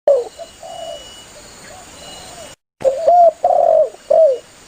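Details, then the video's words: Spotted dove, a lively caller, calling its companions, used as a hunting lure: low hoarse coos, a brief break, then a loud three-part phrase of short rising coos and a drawn-out falling note, with fainter echoing coos behind. "Suara burung tekukur Gacor memangil temannya"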